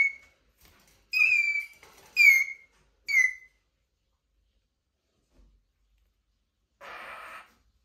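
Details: Eurasian jay giving plaintive squeaks: three or four short, downward-sliding whistled squeals close together, then quiet and a brief muffled rustle.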